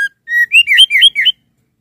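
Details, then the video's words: Calling to a male, a female white-rumped shama gives a short clean whistle, then a level whistled note and five quick looping, bouncing whistles within about one second. "SUARA BURUNG MURAI BATU BETINA MANGGIL JANTAN"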